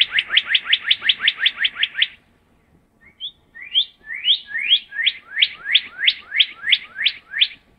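A Northern cardinal sings clear, downslurred whistles: a fast run of about ten notes, a short pause, then a slower series of a dozen loud notes.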